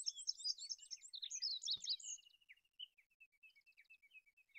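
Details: High, fast twittering song of an olive-backed pipit, a tangle of thin trills and buzzy notes that slows into spaced single chirps, with one sharp click midway.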